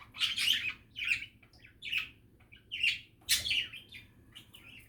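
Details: Relaxed budgerigar chatter: short bursts of gritty warbling and squeaky notes about once a second, with quiet gaps, then a louder scratchy burst.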